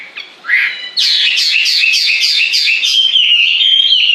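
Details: Bird in nonstop song: a brief rising whistle, then a rapid run of loud, buzzy warbled notes merging into a sustained high, trilling whistle.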